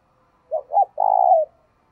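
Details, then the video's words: Spotted dove kept as a decoy to pull in wild birds, calling in a clean phrase: two short hollow notes, then one long buzzy coo sliding slightly lower at the end, in a silent background. "Tiếng Chim Cu Mồi Thúc Gù Và Gáy Gọi/ Chim Cu Gáy Kích Bổi Nhanh Nổi Hiệu Quả"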